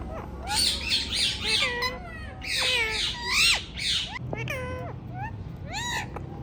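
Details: Indian ringneck parrot talking, repeating the word "Mithu": a run of harmonic, wavering, speech-like syllables in quick bursts, with short rising and falling whistled notes between them.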